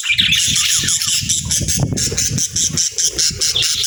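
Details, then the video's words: Cheerful pet budgerigar chirping: busy, high chatter over a string of rapid regular ticks, with soft low knocks underneath. "Happy Budgie Sounds"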